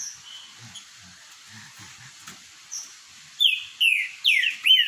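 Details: Green-winged saltator of the boiadeiro song type, in a singing dispute. A quiet, faint start gives way to four loud, clear whistles that slur downward, delivered in quick succession.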